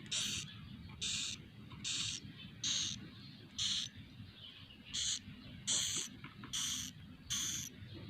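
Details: Swiftlet chicks inside a small swiftlet nest house, recorded from within: short hissy buzzing bursts repeated roughly every 0.7 to 0.9 seconds, with a low steady hum underneath.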